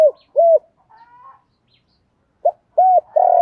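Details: Spotted dove, male and female, calling to provoke kept doves. Two soft hooked coos, a faint rising note, a pause, then a clipped note, another coo and a sustained low croo.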